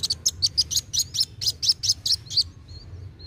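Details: Kolibri wulung sunbird in lively narung song, used for prompting young birds to sing: about a dozen sharp, high chipping notes in a fast steady run, followed by faint thin whistles.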